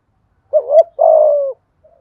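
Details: A single spotted dove phrase in the 'thúc gù' cooing style aimed at stirring wild doves: a brief wavering hoot, then a steady, slightly falling longer coo, in a quiet setting.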